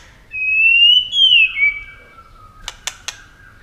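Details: White-rumped shama in competition song: two long clear whistles gliding upward, then a lower falling whistle, followed by three sharp clicks.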